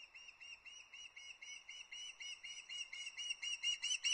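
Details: Juvenile osprey chick on the nest at Loch Arkaig, 31 August 2022, calling for fish before her father arrives with a brown trout; fast run of high, piping whistles with rising intensity, growing louder toward the end.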